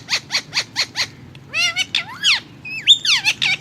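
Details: Rose-ringed parakeet (Psittacula krameri) speaking in Hindi: five quick harsh squawks, then a run of nasal, wavering, speech-like phrases that rise and fall in pitch.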